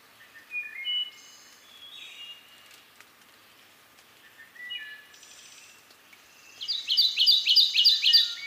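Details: Kentucky warbler of eastern North America in the foreground, with a wood thrush's soft flutelike phrases behind it, then the warbler's bright rolling song of about six quickly repeated slurred two-note phrases at the end.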